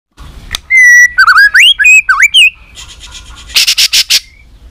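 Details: White-rumped shama, a fiery bird stirred into competition fighting song: a long steady whistle followed by rapid twisting whistled phrases rising and falling, then a burst of harsh buzzy notes at the end.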